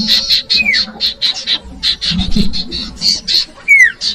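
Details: Cipoh, the common iora, used as bait for young birds: repeated high pulsing notes at a quick beat, with two sharp descending whistles, one early and one near the end.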